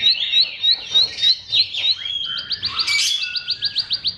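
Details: Bar-winged prinia (ciblek) song material used as a lure for silent caged birds: rising high chirps repeated every quarter second, then a switch to a fast, clipped series of sharp staccato notes with a brief higher burst.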